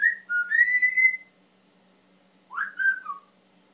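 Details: Male Timneh African grey kept as a family pet whistles a wavering rising phrase, then after a pause a short three-part whistle dropping in pitch, clean and loud in a quiet room.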